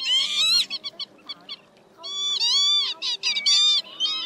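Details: Lure recording of northern lapwings, male and female, calling as a flock to draw migrating birds into night nets in March. Loud nasal, bending wails come in bursts, with short clipped notes between and a brief quiet gap near the middle.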